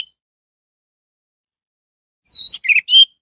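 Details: Orange-headed thrush lure song: after a long quiet stretch, one drawn-out whistle is followed by quick warbled chirps and a sharp final note, intended to provoke other thrushes into singing.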